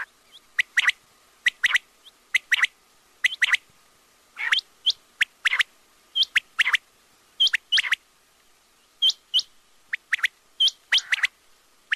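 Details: Quail (batair) giving a long run of short, sharp, high notes, mostly in quick pairs or triplets, each group repeated about every second with a few brief gaps. No other sounds are heard.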